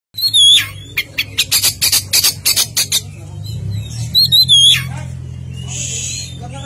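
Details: Oriental magpie-robin in full, vigorous song: loud slurred whistles, then a fast run of harsh, buzzy bursts, then the whistled phrase again, with a steady low hum underneath.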